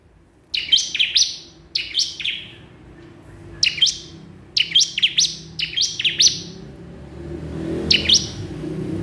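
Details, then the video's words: Bar-winged prinia calling a rival: quick bursts of high, sharp, descending notes in irregular groups, then a pause, then one last burst near the end, with faint background rumble. "ciblek kristal gacor memanggil lawan"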